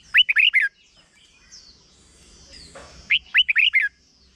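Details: Red-whiskered bulbul giving a short 'double' song meant for teaching young birds: two bursts of four to five quick, rolling whistled notes separated by a pause with soft, thin high whistles.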